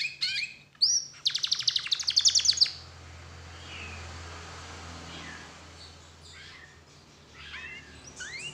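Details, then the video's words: Canary song used as a lure to get other canaries singing: a burst of rapid, high buzzy trills and sharp upswept notes for under three seconds, then only faint scattered chirps over a low steady hum. "PANCINGAN SUARA KENARI INI"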